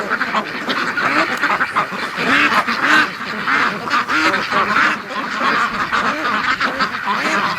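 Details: Domestic ducks during a snowy winter morning rush, with much mating going on; loud, repeated nasal quacks in rhythmic runs from several birds overlapping, with a man's laughter and talk.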